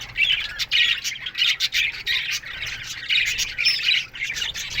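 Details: Aviary budgerigars chirping in the morning: bursts of squawky, buzzy chatter about every half second, rising and dropping in loudness as several birds call together.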